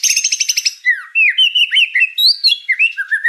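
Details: White-rumped shama singing energetically, a rapid buzzy rattle followed by a quick stream of clear slurred whistles that rise, fall and loop in a busy, varied phrase.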